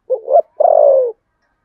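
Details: Spotted dove, contest cooing with a 'Sấm Thổ' voice: a short two-part rising note, then a sustained vibrating coo sliding downward, over a clean silent background.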